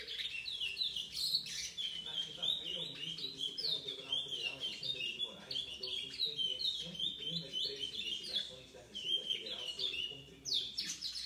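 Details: A seven-month-old chestnut-bellied seed finch, recorded 4 August 2019, sings a fast, rambling stream of high, warbled and twittering notes almost without pause, with faint murmuring voices in the background.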